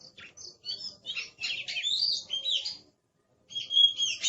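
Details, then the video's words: Kacer, the Oriental magpie-robin, singing a fierce master song: a crowded run of chirps and warbled whistles, then half a second of silence before steady repeated whistled notes. "Suara Master Burung Kacer Galak"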